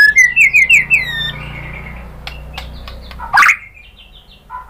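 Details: White-rumped shama with a rapid run of bright rising whistled notes, then a drawn-out whistle, scattered sharp clicks and a loud harsh burst, over a faint low hum.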